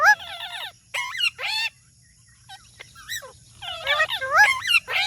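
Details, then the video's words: Talking parrot giving harsh, layered squawks, a pause with a few soft clicks, then a rising flurry of warbling, squeaky calls. "Talking Parrot Natural Sound"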